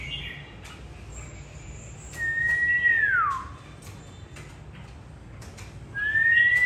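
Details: Caged white-rumped shama, an old wild-caught bird, sunning on an afternoon after bathing in Vietnam: a pure, clear whistle that holds level and then slides down, followed after a pause by a second rising whistle, over faint background chirps.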